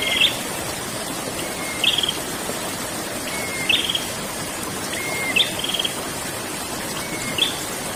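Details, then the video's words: Rolling ngerol song of a prinia: a thin level whistle snapping into a brief rattling buzz, five phrases spaced roughly every one and a half to two seconds against steady hissing background noise. "burung prenjak ngerol"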